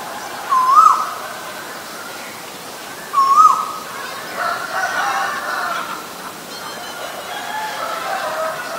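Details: Asian koel, from a recording of a male and a female, gives two short rising whistled notes about two and a half seconds apart, followed by softer, blurred calls from other birds in the background.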